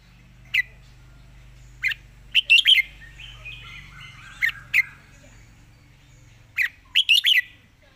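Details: Short, sharp chirped phrases from a red-whiskered bulbul in rapid 'fast-beak zone' song, spaced by quiet gaps with a faint soft warble in the middle and a low steady hum beneath.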